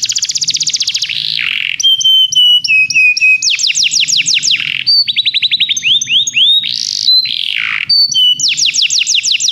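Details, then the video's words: Canary singing for song training, a varied phrase: a fast rattling trill, a rough buzzy dip, paired level whistles, rapid sweeping runs, and harsh noisy bursts alternating with bright high trills. "Canários Begie cantam muito - o melhor treinamento canário para você"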